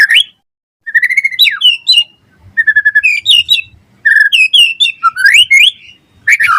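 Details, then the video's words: White-rumped shama, a lively 'gacor' song used as a lure and tutor track for other shamas: loud whistled phrases near mid pitch, rising and falling slurs, clipped chattery notes, short pauses between bursts. "Suara Murai Batu Gacor cepat RESPON NYAUT buat Pancingan Masteran Burung Murai Biar Gacor Full Isian"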